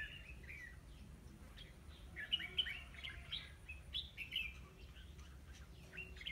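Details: Decoy red-whiskered bulbul at a trapping site, 9 October 2016, singing to draw in other birds: quick bright warbling notes and sharp chirps, irregular phrases with a few louder accents, faint low rumble underneath.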